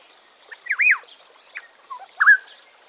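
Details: African Black-headed Oriole (Oriolus larvatus) gives liquid, fluty whistles, a looping phrase then a shorter one a second later, with faint chatter behind.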